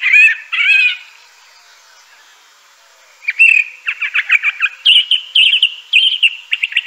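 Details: Crissal thrasher song opening with two full, husky phrases, a pause of about two seconds, then a lively stream of varied chirps and repeated slurred notes that continues to the end.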